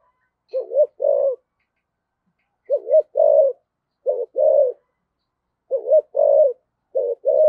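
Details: Spotted dove decoy with the thổ voice, giving its calling coo with a two-part ending: a short clipped note followed by a longer fuller coo, the pair repeated about every one and a half seconds in a quiet room.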